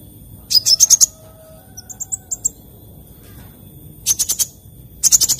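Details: Sunbird (kolibri) singing in the morning: fast clusters of high, sharp chirps and thin rising notes, softer high twitters in between, and another quick burst at the end.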